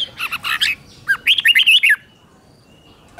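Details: Red-whiskered bulbul morning song used to train or provoke other bulbuls: a burst of rough chattering notes, then a quick run of bright, looping whistled phrases, ending in quiet.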